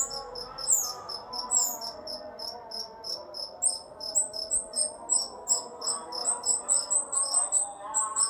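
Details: Rio-rio song offered as a training model for other songbirds: bright, very high chirps repeated rapidly about three times a second, a few slurred whistles early on, over soft background music.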